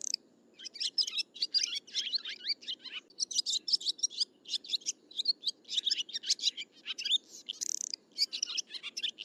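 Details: Continuous high-pitched swiftlet twittering, many sharp chirps repeated in quick clusters after a brief opening pause, a steady faint hum in the background.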